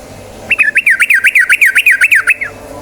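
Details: Yellow-vented bulbul recording meant to set birds singing: a loud, fast run of about thirteen sharp, clipped whistled notes, evenly spaced, each dipping and rising, over a low background hum.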